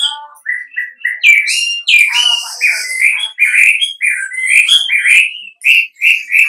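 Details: Wambi song used as a lure for other wambi to reply: loud, rapid whistled notes, some slurred and some clipped, in a near-continuous chattering flow, with a harsh buzzy patch early on.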